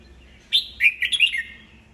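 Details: Red-whiskered bulbul, an old wild-caught bird kept for song training, singing to provoke rival birds: a single brisk phrase of four or five loud, warbled chirps lasting about one second.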